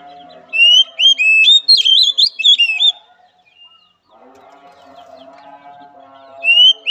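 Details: Oriental magpie-robin song meant to steady a weak-spirited bird: a quick tumble of whistled, sliding notes over steady low chatter, then a pause of murmuring background before a fresh rising whistle.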